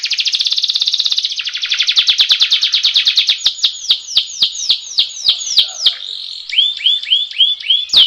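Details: Canary training song with a rolling style: a dense buzzing trill opens, slows into a series of sharp descending whistles, and ends with several short upturned chirps.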